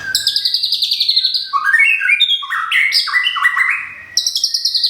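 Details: White-rumped shama from Thung Song, Thailand, recently moved and moulting with feathers nearly regrown, sings loud varied whistled phrases that slide downward in steps, then rise again to high sharp notes.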